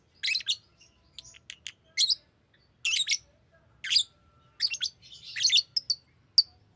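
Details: A green lovebird chatters with high, scratchy chirps and short buzzy twitters in uneven bursts, some notes doubled, others trailing into brief rasping runs.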